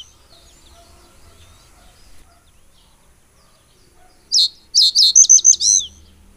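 A common reed bunting sings one short, high phrase of about six sharp, chinking notes that ends in a slurred note. Faint distant birdsong comes before it.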